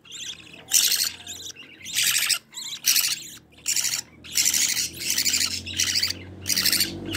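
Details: Budgerigar chicks from a green-line pair beg in the nest while their mother feeds them: loud, harsh hissing rasps in steady bursts, about one per second, with faint chirps between.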